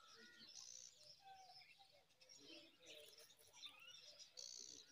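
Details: Five myna chicks being fed date fruit by a parent give a busy stream of high, scratchy chirps and squeaks, several voices overlapping with no pause, along with a few lower, harsher notes.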